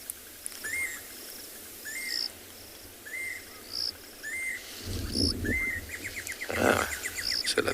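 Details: Jacobin cuckoo at a dam on a South African game reserve during an afternoon safari near sunset, 10 February 2021, giving short clear whistled notes roughly every second, with faint chirps, rustling and a few noise bursts near the end.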